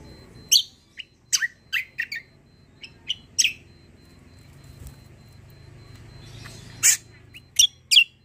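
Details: Greater green leafbird in long-roll style, giving scattered, piercing high chips and short twitters with irregular gaps, over a low rumbling background hum.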